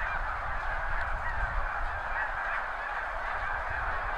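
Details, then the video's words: Huge flock of snow geese departing spring crop fields near the seaway at high tide, captured from a backyard; layered high honking from countless birds, with some individual yelps standing out and a deep rumble beneath. "Snow geese take-off"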